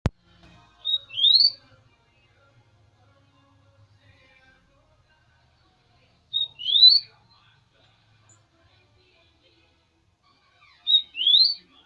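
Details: Rufous-collared sparrow, known as tico-tico, singing again: a short high whistled note followed by a quick rising slurred phrase, the song repeated about every five seconds, with faint indoor murmurs between.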